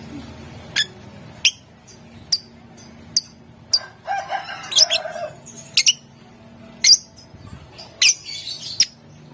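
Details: Lovebird chattering to goad rivals into responding, ngetik and ngekek styles; a rapid series of sharp high chirps, about one every half second to second, with a harsher, lower burst near the middle.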